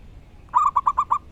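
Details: Loud song of a wild local zebra dove: a drawn-out first coo then four short, regularly repeated rolling coos at the same mid pitch, over low background rumble and hiss.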